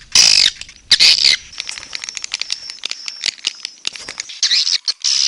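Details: Red-nest swiftlet (walet sarang merah) lure sound: loud shrill squeaky bursts at the start and end, with quieter rapid clicking and chirps over a steady high tone between.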